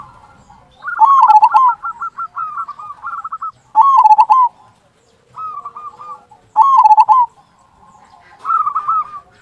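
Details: Loud "kung" song of a local zebra dove in strong voice, played as a lure for other zebra doves: bursts of rippling, warbled coos interleaved with softer stuttering trills, repeated in a steady cycle.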